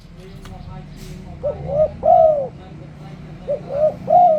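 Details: Spotted dove luring coos meant to draw other doves into song: two soft three-part phrases with a long falling final coo, over steady low background hum and brief rustling.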